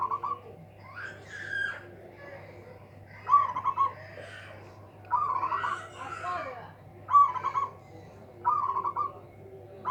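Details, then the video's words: Local zebra dove with a powerful voice, meant to outdo rivals, repeating short trilled cooing phrases about every two seconds. Other birds' chirps and calls overlap between the phrases. "PERKUTUT LOKAL SUARA BESAR BIKIN LAWAN TAK BERKUTIK"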